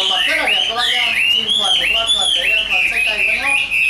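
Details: Chinese hwamei offered for sale, delivering a rapid, continuous string of bright, clear whistles that slide up and down, with lower harmonics beneath; possibly voices in the background.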